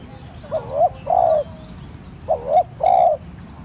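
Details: Captive decoy spotted dove cooing to provoke wild doves to call: two low, hollow two-part coo phrases, each a short rising note followed by a longer, fuller coo, separated by a pause; faint chirps of other birds behind.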